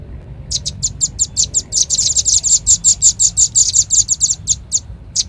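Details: Velvet-fronted nuthatch used as a lure: fast repeated piercing chips starting softly, growing louder and tighter midway, then spacing out to single notes.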